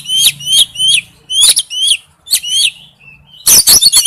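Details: Oriental magpie-robin male calling for a female, giving a series of bright, rising whistled notes with rich overtones, then a faint thin note and a fast cluster of sharp chips.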